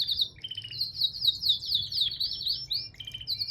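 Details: A green male canary sings a fast, continuous warble of high rolling trills and sweet chirps with quick changes in pitch. A faint low hum sits underneath.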